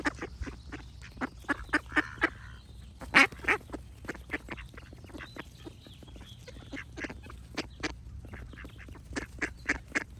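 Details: Lively duck quacking, sharp repeated calls in uneven runs, one loud cluster early on, with thin high bird notes threading through the pauses.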